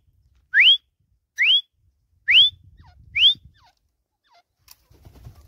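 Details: Four pure, steeply rising whistled notes, spaced almost a second apart, from a caged desi teetar (Grey Francolin) perched on a swing. Faint low rumble sits in the background.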